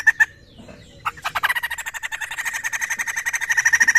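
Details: Poksay, a laughingthrush, recorded for playback to draw a response from other birds. A few sharp notes are followed by a brief pause and then a fast run of harsh, rhythmic chattering notes that builds steadily in loudness.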